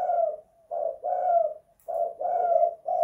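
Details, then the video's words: Spotted dove kept in a house, singing in the kuk 2 / guk 1 style: mellow, hoarse coos in grouped phrases, each two-part phrase followed by a short pause, repeating steadily in a quiet room. "Tekukur kuk 2 / guk 1 in the house"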